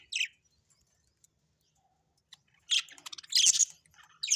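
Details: Household budgerigars: a single squeaky chirp, a quiet gap, then a scratchy rapid flurry of chirps and a harsh screech at the end.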